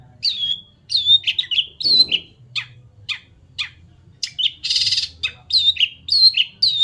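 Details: White-rumped shama singing with a lively string of clear, high whistled notes, some sliding down, mixed with short sharp chips and a brief harsh buzzy burst, delivered in quick irregular phrases with soft low background noise.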